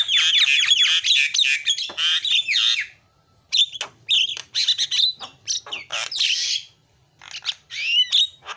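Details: Energetic Javan myna song used as a lure for a bird that has gone quiet: a long scratchy, squealing phrase, a short pause, then jerky squawks and rising whistles.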